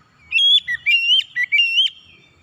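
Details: Oriental magpie-robin singing as a lure to coax other birds into song: a rapid phrase of loud, ringing whistles that swoop and bend in pitch, strung closely together.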